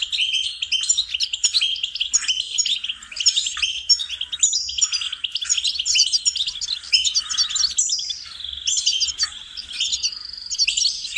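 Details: Goldfinch song used as a singing lesson to train songbirds: a continuous, fast twittering of liquid chirps and trills, with bright high notes and short buzzy phrases running without pause for about eleven seconds.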